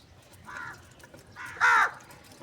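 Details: A crow calling for food in the morning gives two harsh, nasal caws, a softer one then a louder, longer one about a second later, over faint background hiss.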